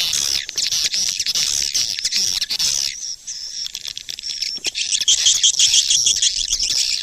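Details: Lure call for swiftlets, a thick stream of shrill chittering, then a steadier high buzzing trill with fine repeated notes near the end.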